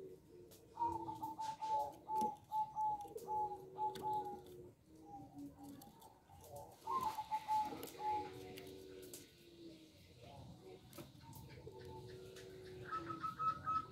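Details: Local zebra dove, described as singing actively with a small voice, gives runs of quick, even staccato coos in a level series. The runs are repeated several times with pauses between them, over steady lower droning tones and background noise.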